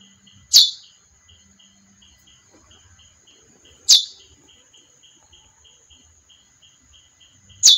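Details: Sparse, loud single chips from a female chestnut-bellied seed finch, about three seconds apart, with a quiet pulsing tick and a continuous high whine in the background.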